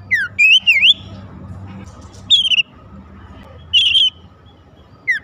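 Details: Magpie-robin song meant to trigger other magpie-robins into song: sharp descending and zigzag whistles in separated bursts with long gaps, over a steady low background hum.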